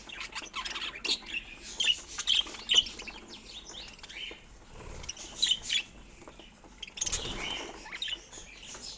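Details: Budgerigars kept as pets twittering with soft warbles and short sharp chirps in several bursts, separated by quieter gaps, with a brief rustle near the end.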